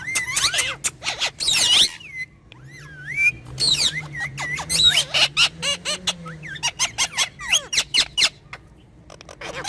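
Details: Chattering from a pair of pet talking parrots: a long train of rapid clicks and ticks mixed with raspy squawks and short whistled glides, over a faint low drone.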